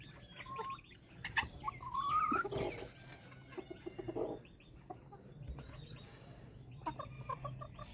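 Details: White Silkie chickens at a bird farm in Taxila/Wah, Punjab, Pakistan: irregular soft clucks with one wavering, rising trilled call in the middle, over a steady low hum and scattered knocks.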